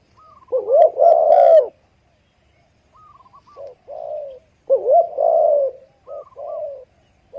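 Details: Spotted dove giving mellow coo phrases: a short lead-in note rising into a long wavering coo, repeated about every two seconds, with quieter higher introductory notes between phrases.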